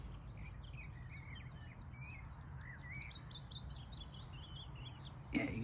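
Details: Willow Warbler singing from thick cover near its nest of very young chicks, filmed 11 June 2023 on a bird-nesting walk along a fence line: soft, sweet whistled phrases tumbling downward at a distance, steady low wind rumble, brief handling thump near the end.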